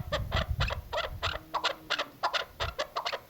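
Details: Female chukar partridge voice used for hunting: bursts of harsh, clucking notes in uneven pairs and clusters over a low rumble of background noise.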